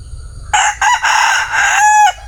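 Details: Male bantam chicken giving a single strong crow: two quick staccato notes, then a long, raspy held tone that drops slightly at its end, with little background noise.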